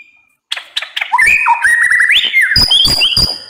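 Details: White-rumped shama (murai batu), 'nembak pedes' song meant as playback to coax other shamas into singing: a thin whistle, a pause, then rapid sharp clicks mixed with stepped, rising and falling whistled phrases, growing loud and dense.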